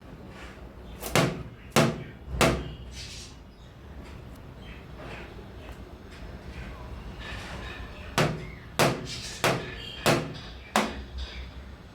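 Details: Sharp knocks and thuds in two bursts, like tapping or a door banging, over a quiet room hum, with no clear animal voice.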